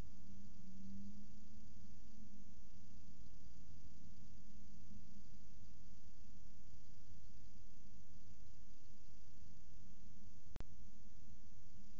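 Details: Only a steady low rumble and hiss are heard, with one sharp click near the end and no animal voice.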